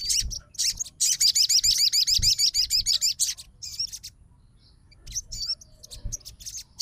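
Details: Fighter Crimson Sunbird responding straight away to a rival sogon's song, delivering a dense run of quick, sharp, high-pitched twittering notes, then scattered squeaky chips after a short gap.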